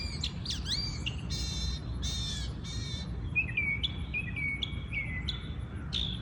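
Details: Morning birdsong in a natural habitat: a varied burst of sharp descending whistles and rich harsh notes, then a run of short clear chirps spaced under a second apart over low steady background noise.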